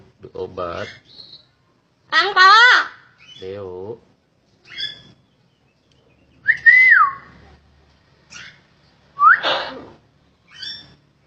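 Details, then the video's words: Common hill myna that has been taught to say greetings, cough and imitate a woman speaking. It gives voice-like wavering phrases and clear rising and falling whistles in short bursts separated by pauses of silence. "BURUNG BEO CERDASS....bisa mengucapkan SALAM, BATUK, BERBICARA PEREMPUAN"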